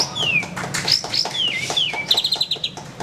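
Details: White-rumped shama giving long sweeping whistles that fall in pitch, then a quick series of short repeated high notes.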